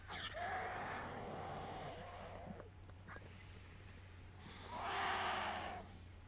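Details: Cinereous vulture feeding on a fresh mare carcass in Segovia, Spain, giving two harsh, wheezing hisses: one long burst of about two and a half seconds, then a shorter one, over a low steady hum.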